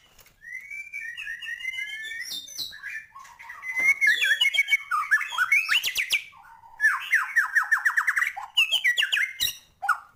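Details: Lively, full song of a white-rumped shama: sliding whistles, then rapid runs of descending chattering notes and harsh squawky phrases in several bursts with short pauses.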